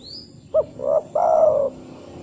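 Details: A single spotted dove phrase, a call used in the wild to summon other doves and played to prompt doves to call: a quick hooked note, a rounded coo, then a long, smooth, slightly falling coo.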